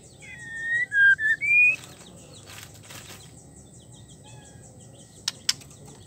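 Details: Female white-rumped shama in breeding condition calling a male, giving a brief phrase of clear whistles that dips and then rises, followed by a long quiet stretch with soft rustling and two sharp clicks near the end.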